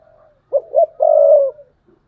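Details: Spotted dove kept as a decoy bird gives one thúc bổi coo: two brief low notes followed by a sustained, slightly wavering coo of about half a second. The background is quiet.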